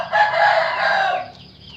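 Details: Trumpet-voiced rooster crow: a steady, rich harmonic tone held for about a second, then fading away quietly.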